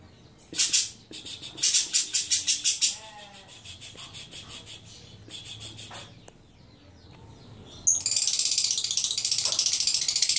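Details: Lovebird giving its long ngekek chatter: fast harsh buzzy pulses in quick rattling runs, then a dense continuous high hissing chatter, with a few soft lower notes between bursts.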